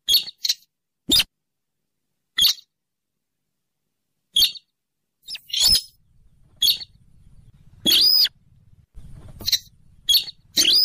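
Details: Slaty-breasted rail, a bird of swamps near rivers or lakes, played as a trapping lure: sharp, dry clicking notes at irregular intervals, some with a brief downcurved harmonic squeal, and faint low hum late in the recording.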